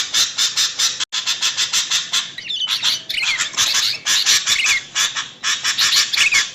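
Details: Sooty-headed bulbul, a female calling a male, used as a lure sound: dense, rapid, raspy chattering notes throughout, with brief twisting whistled phrases woven into the middle and near the end, lively and noisy.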